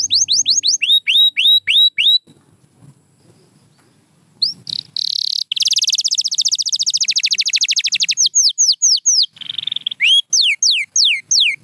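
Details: White canary repeating quick falling whistles, pausing for about two seconds of quiet, then resuming with a long pulsing high trill and more bright downslurred notes.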